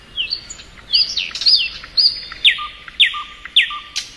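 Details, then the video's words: Thrush nightingale in spring with a varied phrase: looping whistled notes give way to loud downward-swept whips repeated about every half second, each followed by a low short whistle. "Nightingale Song.(Luscinia)."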